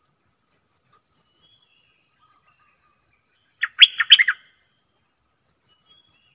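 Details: A bulbul kept as a decoy bird gives a single quick phrase of liquid, chattering notes in the middle of the recording, with a faint, rhythmic high-pitched insect-like pulsing before and after.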